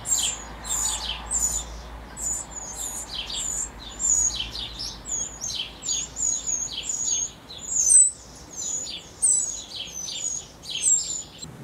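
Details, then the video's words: Eurasian wren chicks at the nest during the last feedings by the adults, hours before fledging: a dense run of thin, very high squeaky notes, about three per second, with brief softer chirps. "Troglodytes mignons ( derniers nourrissages ) HD - European wren HD ( last feedings)"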